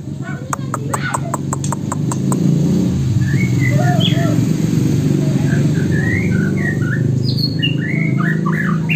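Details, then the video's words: An Oriental magpie-robin whose song carries imitations of Hwamei and wambi gives scattered short whistled and chattering phrases after a quick burst of about a dozen dry ticks, over a steady low rumble and murmuring voices. "Burung Murai Isian Poksay Hongkong dan Wambi"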